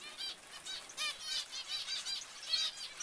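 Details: Zebra finches giving repeated nasal honking beeps, short ringing notes about three or four per second, closely spaced and fairly even, with quieter chatter underneath.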